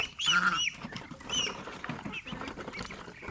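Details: Pet domestic geese living with ducks call out with loud, harmonic, nasal honks: two strong calls in the first half, then a few softer ones, with light scuffling in the background.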